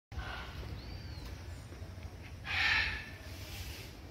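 A blue-and-yellow macaw gives a single short, harsh, raspy squawk over a steady low background hum, with a faint thin whistle heard earlier.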